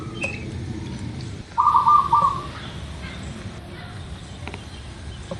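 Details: Local zebra dove song, played as a lure for quick singing: a single low, purring phrase of fast stuttered coos lasting under a second, followed by quiet hiss and the start of another phrase at the very end.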